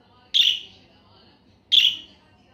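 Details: Two loud, sharp budgerigar chirps about one and a half seconds apart, each a brief bright burst that fades quickly, with near quiet between them.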